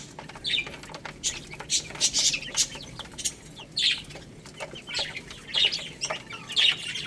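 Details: Chicks busy eating rice peep in short high chirps every second or so, over constant crisp clicking and scratching from pecking.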